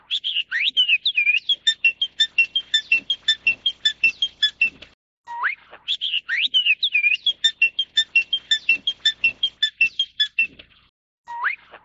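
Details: A Taiwanese crested myna (Acridotheres cristatellus formosanus) gives a fast, busy run of bright whistles, rising slurs and clicky notes, in bursts about five seconds long with short pauses between.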